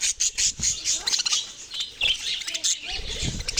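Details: Quick, high budgerigar chirps come in rhythmic bursts, some squeaky and clipped, over a constant background twitter.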